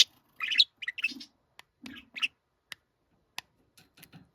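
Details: Pet budgerigar, a young parent bird, calling indoors: short harsh chirps and squawks in brief bursts, some with low throaty tones, followed by sparse clicks and quiet pauses.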